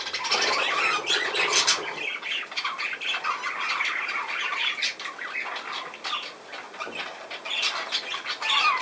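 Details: Budgerigars chatter in a quick jumble of harsh squawks, chirps and high squeaks, fairly even in loudness throughout.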